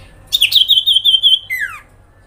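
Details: Common iora giving a grincingan lure call meant to provoke other ioras into responding: a high, rapidly wavering trill of about a second and a half, then a short whistle slurring steeply downward.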